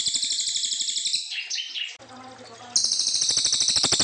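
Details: Brown fulvetta singing a long 'nembak' style song, used as a tutor recording for young white-rumped shamas; a dense, very high, rapidly pulsed buzzy trill breaks into a brief warbled phrase and a pause, then the trill returns loudly.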